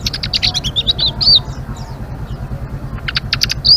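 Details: Blue-winged leafbird singing in the vigorous chattering ngeriwik style: quick high twittering notes and short warbled slurs in two bursts, at the start and near the end, with a quiet gap between, over a steady low hum.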